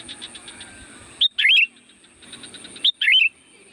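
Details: Sooty-headed bulbul song for calling wild bulbuls: two loud, quick, bubbly whistled phrases about 1.6 seconds apart, each led by a short clipped note. Faint pulsed chatter sounds between them.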